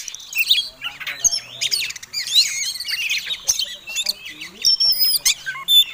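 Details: Oriental magpie-robin, fighting contest type, singing to provoke other birds: jumbled, scratchy mix of high whistles, buzzes and thin sharp notes in uneven bursts, with a few clean piercing whistles near the end.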